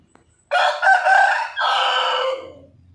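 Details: A white rooster gives a loud, rough crow in two joined phrases: a pulsing first part of about a second, then a long held note that trails off downward, with a low hum remaining afterward.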